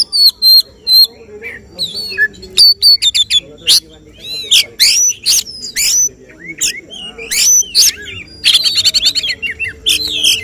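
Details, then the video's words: Oriental magpie-robin in a songbird contest, singing the phrases judges look for: rapid sharp clicks and chips, sweeping whistles and fast trills in dense bursts, with faint background murmur. "Suara tembakan Kacer yang diincar juri saat lomba burung berkicau"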